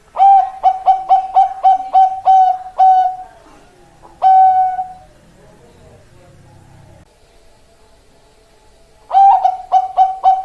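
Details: Male zebra dove of the Bangkok type singing: a fast staccato run of about eight clear mid-pitched coos, a single longer coo after a pause, quiet faint background, then another rapid burst of coos at the end.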